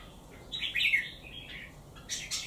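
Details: A caged wild-caught bird, three months in captivity, with one white claw, sings against a rival; a softer warbled phrase, then a harsher burst at the end.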